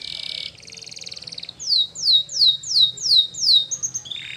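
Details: Spanish Timbrado canary training song: a buzzy trill and pulsed rattle, followed by six strong descending whistled notes at steady half-second spacing, ending in a brief high trill.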